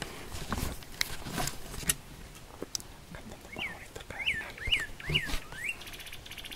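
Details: At dawn in Mexico during a turkey hunt, a northern cardinal sings a quick run of five clear, slurred whistles, each rising then falling, about two per second, after some thumping and rustling noise.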